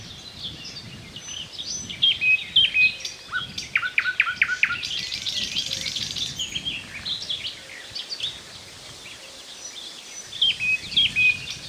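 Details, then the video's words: Thrush nightingale delivering unhurried, solemn phrases broken by pauses: short whistles and chattering bursts, a quieter gap, then a fresh whistled phrase near the end, with soft background hiss. "Соловей поёт чарующие пения соловья"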